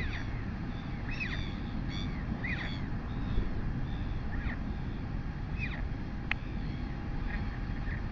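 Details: Begging from a royal albatross chick as its mother feeds it, recorded by a live nest camera in New Zealand in August 2020. Clusters of short, bowed, nasal calls come in loose bursts over heavy wind rumble.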